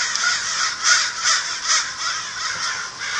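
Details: American crow calling, a run of harsh, hoarse caws that blur into one another, loud and uneven, with no clear gaps between them.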